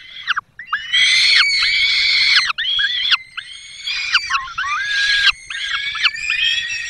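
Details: In the Barycz Valley, Poland, on 5 May 2022, the male peregrine falcon brings a small bird and the female feeds the chicks. Loud, harsh, sustained wailing calls repeat in long bursts separated by brief pauses.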